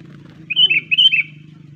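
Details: Sooty-headed bulbul (kutilang) in a lure recording for attracting birds: a short burst of four quick, bubbly whistled notes, falling and rising, at high pitch, over a steady low hum.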